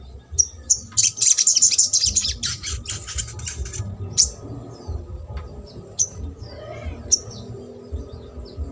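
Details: Trotol song of a sogok ontong, intended to coax silent birds: a dense burst of shrill chattering early on, fading to isolated high ticks spaced a second or more apart, with a low background hum.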